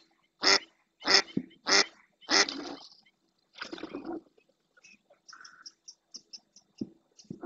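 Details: Female mallard calling insistently in the marsh of Doñana National Park, Spain, filmed by a live camera: four loud, harsh quacks about half a second apart, then softer, scattered quacks and faint high ticking notes.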